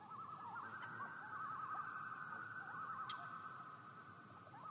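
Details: Common loon giving a wavering tremolo, a quavering warble rising and falling in repeated short bursts over a steady sustained tone, faint and distant amid constant background hiss.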